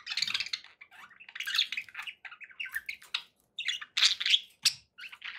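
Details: Budgies chatter in uneven bursts of squeaky, twittering notes and a few sharp clicks, separated by short silences; a faint low noise sits beneath.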